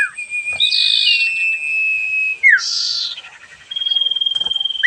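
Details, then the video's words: Sirfu, the sooty-headed bulbul, singing boldly: a sustained high whistle under harsh buzzy rasps, a sharp downslurred note, then a rapid pulsing trill. "burung sirfu gacor dor ngentrok"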